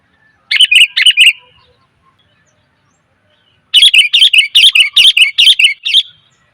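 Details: Lure call of a female sooty-headed bulbul calling males: a short burst of four harsh chirps, a pause of two seconds, then a longer run of about nine loud, buzzy notes in quick succession.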